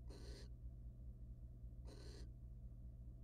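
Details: Male wild barn owl mating with and preening a female in a nest box; two drawn-out, harsh hissing bursts about one and a half seconds apart over a steady electrical drone.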